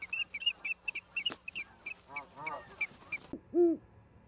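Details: Osprey nest in Charlo, Montana, live nest camera, 09/11/2023, 16:04: a quick run of sharp, high chirps repeated several times a second, mixed with lower sliding calls, then an abrupt change to a single lower, drawn-out note.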